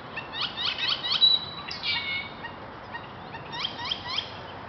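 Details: Male great-tailed grackle, or zanate, in San Diego, California: runs of sharp rising chirps, a thin sustained whistle, a harsh rasping burst, then another quick series of upswept chirps near the end.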